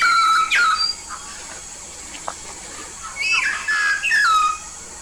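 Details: Yellow-faced myna originating from Papua, a keen singer, whistling a downslurred note at the start, then after a pause a cluster of sharp rising and falling whistles, set against a constant hiss.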